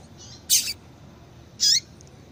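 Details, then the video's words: Call of a female double-collared seedeater, played to make males sing. Two brief, bright, high-pitched chirps about one second apart, the second with a slightly rising note, against low constant hiss. "Piado de Fêmea de Coleiro"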